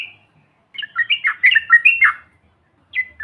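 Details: Yellow-vented bulbul in the trucukan bahan or ombyokan style, used as a lure to make silent birds start calling. A brief whistled note opens, then after a pause a bubbly run of quick warbled notes rises and falls, with a short burst near the end.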